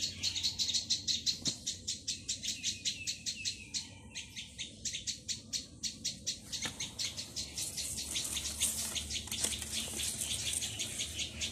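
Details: Young Plaintive cuckoo begging nonstop: rapid hoarse hissing chirps, near three per second, briefly pausing once, then growing denser and smearing together toward the end.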